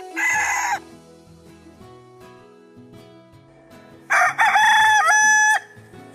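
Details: Rooster crowing twice, a short harsh cock-a-doodle-doo near the start and a longer, louder drawn-out crow about four seconds later, with soft steady music tones underneath.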